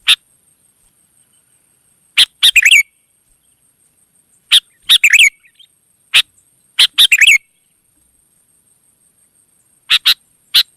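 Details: Wild sooty-headed bulbul answering: sharp single chips scattered through the recording, some followed by quick bubbly double and triple notes, with long silent gaps and a steady high hum.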